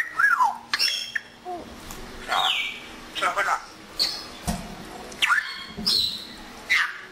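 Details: Talking pet African grey parrot, said to use Urdu and Pashto words such as greetings and bye bye. Short chattering, speech-like bursts alternate with quick whistled upslurs and sharp clicks, about every second, over faint background hum.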